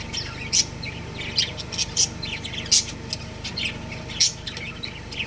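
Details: Budgerigar breeding pair producing irregular sharp, high-pitched chirps about every second, with fainter twitters between and a constant low hum.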